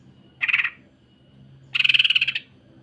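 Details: Greater green leafbird singing a rough, dense song style called the sewing-machine song, used to tutor other leafbirds. Two harsh, rapidly pulsed buzzy bursts are separated by about a second of quiet, with a low hum underneath.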